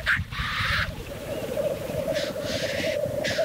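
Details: At the black grouse lek, one long rasping hiss opens over a steady, low, bubbling drone, then two more hoarse hisses follow near the end as the display continues.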